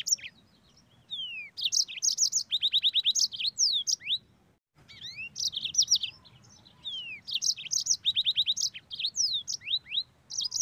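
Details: A yellow-fronted canary in full rolling song, used as a tutor recording, sings a fast, bright, high run of trills, sweeping whistles and rapid buzzy rolls, in two bursts with a brief pause between.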